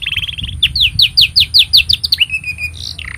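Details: Canary song meant for tutoring young birds and prompting silent canaries to sing: a buzzy trill, then a quick series of falling whistled notes about six per second, ending in a flat rolling trill and a sharp drop.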